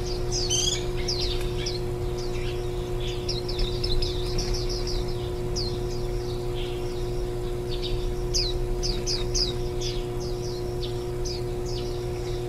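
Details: Warbling white-eye nest during chick feeding, the day before fledging, July 2018: scattered thin high chirps, a dense cluster early then sparser notes, set against a steady hum and low rumbling background noise.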